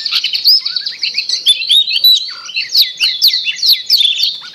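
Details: Long-tailed shrike lure recording for a shrike that stopped singing: an unbroken, rich medley of high whistles, sweeping slurs and chatter.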